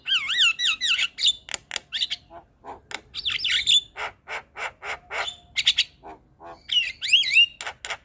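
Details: Morning call of the Javan myna, said to set off replies from other mynas: wavering warbled whistles opening and closing a busy stretch of harsh, rasping squawks delivered several per second.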